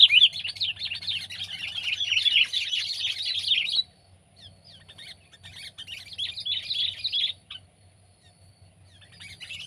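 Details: Kutilang, the sooty-headed bulbul Pycnonotus aurigaster, common in Java, Indonesia: nearly four seconds of loud rapid chattering, a sudden stop, then a quieter second burst of high twittering and scattered chirps before the bird resumes.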